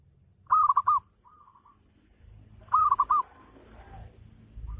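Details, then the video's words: Zebra dove, a local bird, singing a 'ngayer' lure song that other doves quickly answer: two bright, bubbling four-note coo phrases about two seconds apart, each followed by a quieter echoing phrase, with low background noise. "Gacor Perkutut Lokal || Pancingan Full Ngayer Perangsang Nyaut Bunyi"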